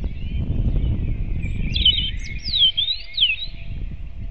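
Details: A robin sings at dawn, early morning of 8 April 2016: clear, thin whistled notes slurring up and down in a short phrase, set against a faint chorus of other birds and low-pitched background rumble.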